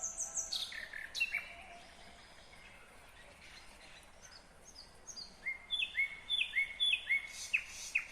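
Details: Kyrgyz nightingale song recorded in 2020, a varied phrase of high whistles and buzzy trills that pauses, then returns as a fast series of sharp, clear repeated notes, several each second.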